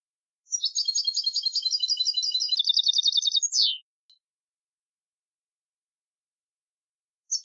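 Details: European goldfinch in the clean 'limpio' song style, 2020 collection: a dense, high, jangling trill running about three seconds, shifting midway to a steadier buzzy rattle and closing with a falling slur, then silence and one brief note.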